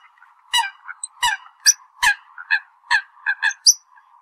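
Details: Rapid, irregular series of harsh honks from a Eurasian coot calling the flock, with occasional higher squeals and a steady faint hum beneath.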